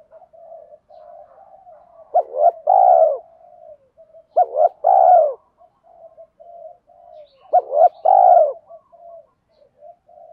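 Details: Spotted doves, cock and hen, cooing to stimulate birds in training. Three deep phrases roughly every three seconds, each two or three quick notes and a sustained coo, over steady soft background cooing.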